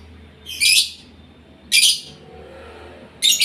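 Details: Harsh, scratchy lovebird calls from a bird in breeding condition: three loud rasping bursts with long pauses between them over a faint background hum.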